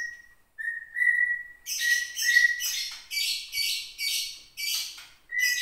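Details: White-rumped shama, a caged bird from the Gunung Leuser region of Aceh, singing aggressively when provoked. A few long level whistles, then a series of buzzy, harsh notes repeated about every half second.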